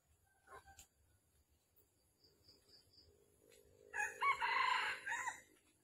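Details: Red junglefowl at a trapping site in Vietnam on the morning of 13 December 2021, where a hen call is used to lure a rooster: quiet rustling and taps, then a loud, harsh crowing phrase near the end amid low rumbling background.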